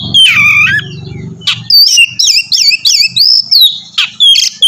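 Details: Oriental magpie-robin singing to encourage another bird to join: a dipping slurred whistle, then a regular string of looping whistled phrases with sharp chips, over faint low rumbling.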